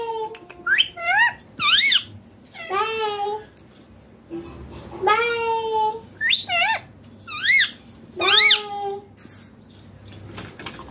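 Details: A pet rose-ringed parakeet talks in high, nasal, speech-like phrases, saying words like "bye bye papa" and "mummy". It gives about eight short bursts with rising and falling inflections and brief pauses between them.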